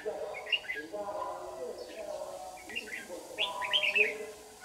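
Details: White-cheeked red-whiskered bulbul lure bird singing competitively in the morning during bird trapping in Đồng Nai, Vietnam, 26 June 2019: short bright warbled phrases in bursts, over a murmur of lower sounds.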